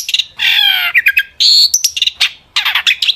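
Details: Long-tailed shrike in full, excited song used to goad other shrikes to reply: loud harsh buzzy bursts alternate with quick high chirps and a brief sharp whistle.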